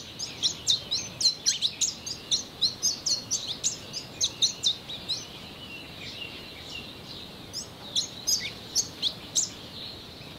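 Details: Pin-tailed Whydah calling from an exposed branch used as a song post: a long, fast run of sharp, high squeaky chirps and twitters, at times bunched into quick bursts, over a faint steady background hiss.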